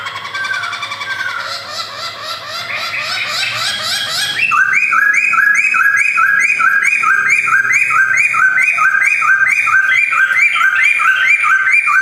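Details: White-cheeked male black-throated laughingthrush, kept in a collection in Jogjakarta, 2021. A jumbled, warbling start gives way to a rapid, regular series of bright whistled notes, repeated steadily for several seconds.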